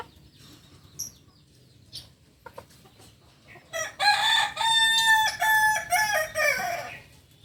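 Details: Kukuak Balenggek rooster, a chicken breed native to Solok, West Sumatra, crowing. After a few soft knocks, a loud harmonic crow lasts about three seconds, broken into several stepped, wavering segments before fading.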